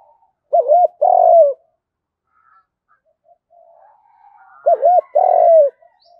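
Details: Spotted dove fighting coo in the field voice, a lure call: two phrases about four seconds apart, each two quick looped notes then a long falling coo.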